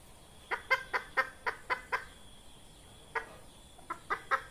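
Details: Red junglefowl hen, recorded as a lure for trapping wild junglefowl: a run of six sharp, hoarse clucks about a quarter second apart, a pause, then a looser group of five similar clucks, over a faint steady hiss.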